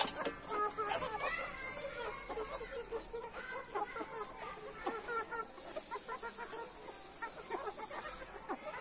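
Red junglefowl giving a busy stream of harsh clucks and short nasal squawks, several birds overlapping; a steady high insect-like hiss joins partway through.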